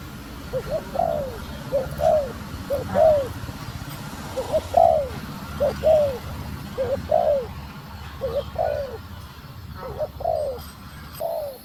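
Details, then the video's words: Female spotted dove calling to stimulate the male: a long series of soft, low, hollow coo phrases. Each phrase is a short note and then a longer falling coo, repeated roughly every second. Faint background hum. "Cu Gáy Mái Thúc Gù Kích Trống Ức Chế | Tiếng Chim Cu Mái Gáy"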